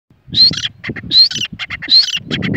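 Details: Young male grey francolin calling; three loud harsh phrases about every 0.8 s, each opening with a short rising whistle followed by grating, rasping notes, with low rustling and handling noise underneath.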